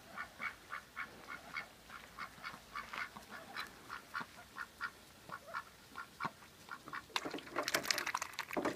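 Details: Kept domestic ducks, a strong-willed female alongside a picky male, giving a steady run of short nasal quacks about three per second. The calls grow denser and noisier toward the end, with splashing or rustling underneath.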